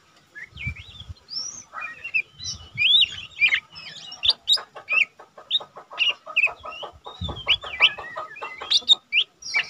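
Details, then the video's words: Lesser green leafbird, a cage bird kept as a tutor for training other birds, singing a dense run of varied whistles, chirps and slurred notes, with low thumping sounds and a steady background hum. "cucak ijo mini bahan udah rajin bunyi cocok untuk masteran burung cucak ijo mini"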